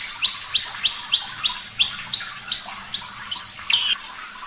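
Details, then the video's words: Javan bush lark of the Parva type singing vigorously in a clear voice: a steady run of about ten sharp, rising whistled notes, roughly three per second, each swept quickly upward and ending high, with a final lower note. "Masteran Branjangan Parva Gacor Suara Jernih"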